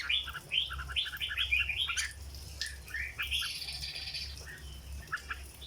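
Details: Caged red-whiskered bulbul singing in the 'dok' style: quick bursts of bright, slurred whistled notes in rapid series, with some fainter chirps and a low steady hum underneath.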